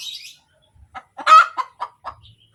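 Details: Laying hen giving a cackle after producing an egg: a few short clucks build to one loud harsh squawk, then quick falling clucks, with faint high chirps at the start.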